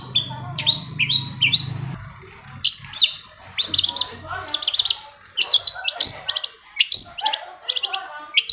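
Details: Long-tailed shrike song used to coax silent caged shrikes into singing: a long varied medley of high whistled notes, quick chattering runs and sharp clicks, with a low hum fading out early on.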